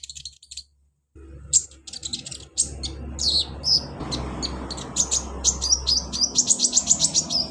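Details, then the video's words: Song of a caged sunbird (kolibri ninja) played to encourage a bird that won't sing: dense, rapid, very high-pitched twittering that speeds into steady repeated chips over a low room hum. "KONIN TERAPI konin malas bunyi Insya Alloh cepat ikut bunyi"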